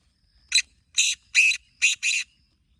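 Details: Harsh, scratchy calls of a black francolin (kala teetar): one short note, then two drawn-out grating notes, then a quick double, all loud and broadband against a quiet background.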